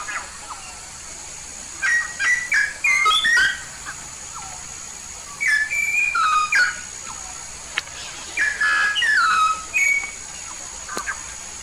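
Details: Yellow-faced myna from Papua singing actively: repeated bursts of bright whistled notes, some rising, some falling in glides, in three main phrases separated by pauses, plus occasional sharp clicks and a constant high hum.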